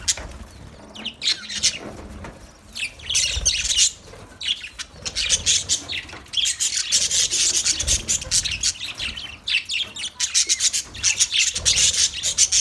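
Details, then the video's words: Budgerigar colony producing a dense, rasping chatter and high twitters, rising to a continuous loud chorus after about six seconds. "Budgies Parrot colony | Budgies chirping sounds"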